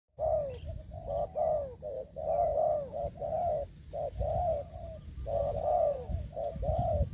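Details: Spotted dove used as a ground decoy in trapping during the COVID-19 season, giving dense runs of low, hooting coos, phrase after phrase with short gaps, over steady low rumble.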